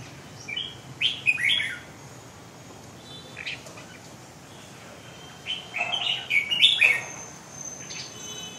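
A red-whiskered bulbul gives two bursts of bright, warbled chirping phrases about four seconds apart, with quiet background hum between them.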